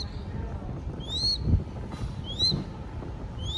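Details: Baby crested goshawk in Cambodia during a feeding session. Three thin, rising whistled calls come at irregular intervals, with muffled voices and handling sounds below.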